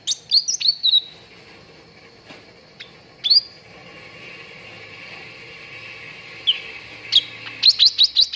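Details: Cucak ranting song recorded to train contest birds: opening burst of chirped whistles, a long pause, then a rapid run of sharp repeated notes.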